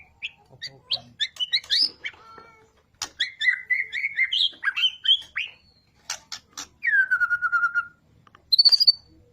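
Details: Energetic white-rumped shama song meant to make other birds sing: scattered chirps and trills, a warbled run, then a long smoothly falling whistle and a short high rapid trill at the end.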